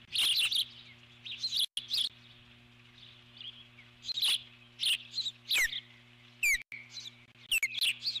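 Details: A female eagle at the nest keeps up alert calls at an intruding large bird. Shrill, piercing notes arrive in irregular bursts, some sliding down in pitch, over a constant low background hum.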